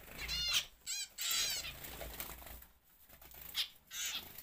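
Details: Zebra finches kept for home breeding in an aviary give short, nasal, buzzy calls in quick bursts of two or three notes, with pauses between the groups and some faint background rustling.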